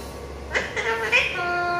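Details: Talkative pet parrot speaking, with short voiced speech-like syllables around the middle, then a steady held tonal sound with clear overtones to the end, over a low background hum.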